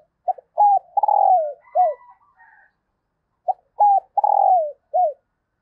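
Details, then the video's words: Hen dove's call to excite males: two matching phrases, each a quick tap, a clipped coo, a long throbbing note dipping at its end and a closing downslurred coo, with faint whistled tones in the pause. "Tiếng chim Cu Mái Kích Trống Hiệu Quả"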